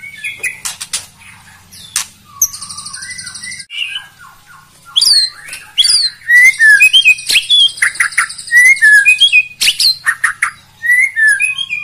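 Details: White-rumped shama singing a dense, varied song to provoke rival birds: sharp whistled notes, rapid buzzy trills and slurred phrases packed closely together, with loud bursts in quick succession.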